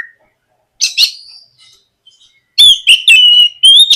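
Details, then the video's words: Oriental magpie-robin (kacer) in gacor ngeplong style, used as a morning lure to make untrained magpie-robins start singing. Two short chirps, then a long quiet gap, then loud clear whistled phrases with rising and falling notes near the end. "SUARA PIKAT BURUNG KACER GACOR NGEPLONG MEMANCING KACER BAHAN AGAR LEKAS BUNYI & GACOR"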